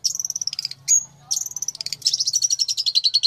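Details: Fighter long-tailed shrike used as a master bird: high, thin whistled trills and a sudden pure whistle, then fast, varied twittering that runs on without a break.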